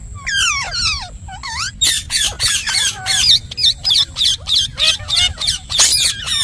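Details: Parrot kept as a pet in fast, loud chatter: downward-sweeping notes at first, then a dense, rhythmic run of harsh bright syllables pulsing about twice a second.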